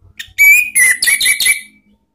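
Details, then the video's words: Orange-headed thrush singing in the ngeplong style, a lure sound for cage birds from Indonesia: one brief phrase of a clear steady whistle, then several quick slurred whistled notes that fade out. "ANIS MERAH BUNYI NGEPLONG ¦ PANCINGAN KICAUAN ¦ NGERIWIK"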